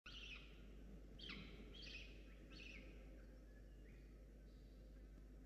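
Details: Hungry falcon chick on a nest camera at Charles Sturt University on 21/10, as an adult arrives with a starling the chick does not take; faint harsh, down-slurred wails repeated about every half second over steady low background noise.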